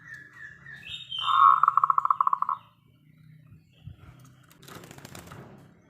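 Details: Local zebra dove song used as a lure so other doves reply; a short rapid tremolo of pulsed cooing notes over a steady low hum, followed by a brief burst of broadband rustling noise.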